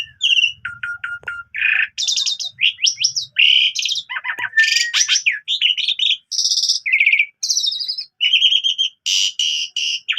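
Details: Captive Asian pied starling in lively morning song, used to teach young canaries: short repeated whistles, scratchy bursts and nonstop mixed chattering and whistled phrases with brief pauses.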